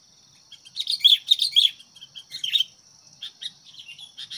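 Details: Sooty-headed bulbul used as a decoy bird to provoke fights with wild birds: a burst of bright, chirpy notes with bubbly phrases over about two seconds, then softer scattered chirps, with a steady insect hum behind.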